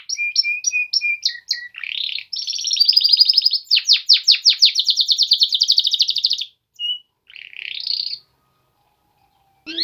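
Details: Song of male Polish canaries, opening with short repeated whistled notes, then a dense buzzing trill and fast descending sweeps, ending in scattered chirps and a brief pause.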